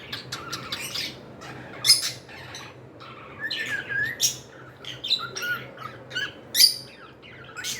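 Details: Pet cockatiels indoors giving a busy run of short chirps, sharp squawky notes and a few rising whistles, closely packed throughout.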